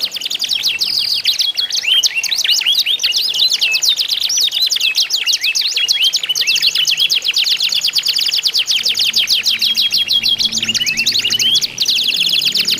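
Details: Contest-singing canaries, sound therapy to coax other canaries into song: continuous loud, fast high trilling and rolling chatter, long unbroken phrases of rapid repeated notes with brief whistled sweeps, faint low rumble late on.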